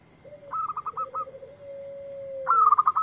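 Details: Lively local zebra dove answering a lure recording: a low, smooth drawn-out coo is framed by bursts of quick, clipped, higher staccato notes that roll and then stop. A faint steady high whine runs underneath.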